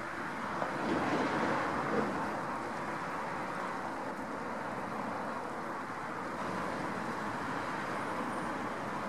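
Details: Steady roar of passing road traffic with a low rumble and wind, and no animal voices.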